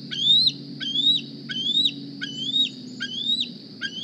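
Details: Morning food begging from a juvenile bald eagle at the Decorah nest: six high, clear whistles, each climbing in pitch before breaking off, given roughly every 0.7 seconds with soft low noise beneath.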